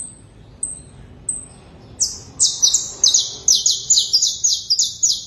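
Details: Canary giving three thin, high whistled notes, then a fast run of bright buzzy syllables repeated several times a second, each pulse dropping slightly in pitch; little else in the background.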